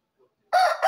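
An Aseel rooster gives a brief, harsh, strained crow fragment in two loud bursts after a near-silent start.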